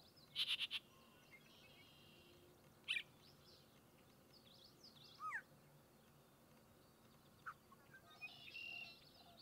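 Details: Yellow-breasted Chat (Icteria virens) singing at Goose Lake Prairie State Natural Area, Illinois, on 6-02-2023: a disjointed mix of separate high phrases with a quick rattling burst, a sharp note, a downslurred whistle and a harsh buzzy note, spaced by pauses.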